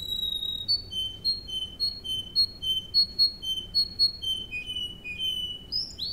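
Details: Russian canary singing, a training song: a steady series of clear whistled notes repeated about twice a second, alternating two pitches, ending in lower slurred whistles and a rising upsweep; faint hum behind.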